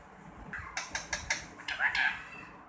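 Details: A pet rose-ringed (ringneck) parakeet, 2.5 years old, talks in raspy, clipped syllables, repeating "Mitthu beta" in Urdu/Hindi: four quick, evenly spaced bursts, then a longer squawky two-part word, over a faint low room hum.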